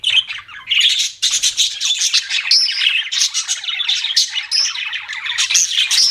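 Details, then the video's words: Continuous budgerigar chatter: a thick stream of rapid warbling chirps with occasional sharp whistled notes, barely pausing. "BUDGIES CHIRPING SOUND"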